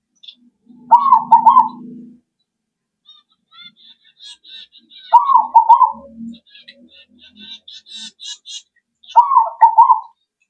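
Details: Zebra dove played as a lure to make other birds answer: three rolling, stuttered coo phrases, roughly every four seconds, with soft high chirps from other small birds between them.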